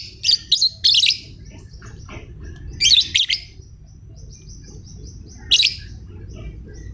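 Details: Lovebird giving sharp, high, screechy chirps in short bursts: a quick pair near the start, another cluster around three seconds and a single burst near the end, over a low steady background hum.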